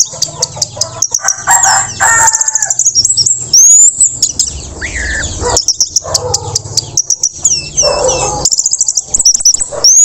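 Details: Post-moult orange-headed thrush in teler style, meant as a lesson for spotted juveniles: dense very high chirping and ticking in fast runs, broken by a few lower slurred notes and brief pauses.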